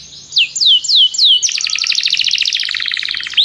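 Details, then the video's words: Song-training canary calling its friend to sing: four clear falling whistled notes, followed by a long, fast, pulsing trill that runs to the end. "Canário chama o amigo para cantar - treinando canto de canário"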